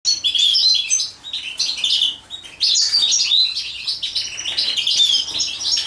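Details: European goldfinch singing during mating, a fast, dense twittering of high, liquid notes and trills, loud in two long bursts with a short quieter gap near two seconds.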